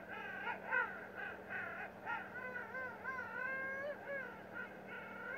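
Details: Penguin calls: a series of wavering, moaning notes that rise and fall in pitch, repeated roughly every half second over a steady low hum.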